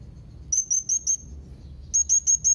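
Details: Young Blue-crowned hanging parrot calling to rivals. Two bursts of four short, very high, thin squeaky notes, evenly spaced about a fifth of a second apart, with a pause between bursts, over a low steady background hum.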